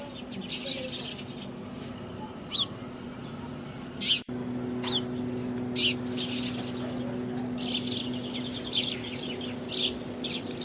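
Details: House sparrows in India: scattered chirps and short twitters come at irregular intervals, with a brief sharp knock near the middle. A steady low hum continues throughout.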